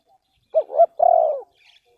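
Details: Spotted dove, used in bird luring, gives a clean three-part coo: two short rising notes followed by a drawn-out hollow coo, with a faint distant chirp afterwards.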